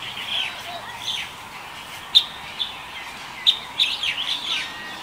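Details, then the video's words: Light-vented Bulbul, recorded February 2021: short warbled chirps at mid-high pitch, scattered unevenly with a cluster near the end, and a few sharp clicks in a quiet background. "白頭鵯 Light-vented Bulbul"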